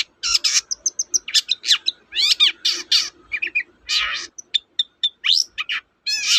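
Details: Long-tailed shrike (cendet) song used as a lure to get reluctant birds singing, a varied, almost continuous medley of harsh rasps, high piping chips, rapid descending sweeps and squeaky slurred notes.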